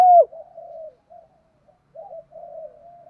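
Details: Spotted dove calls used to stir fighting: soft, low, wavering coos in short drawn-out phrases after a sharp falling opening note, with pauses between.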